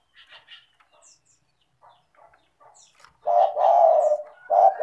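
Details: Faint scattered chirps give way to a loud spotted dove coo, a short note then a long mellow one, and a new phrase begins. A lively 'gacor' bird, used as a lure for lazy doves.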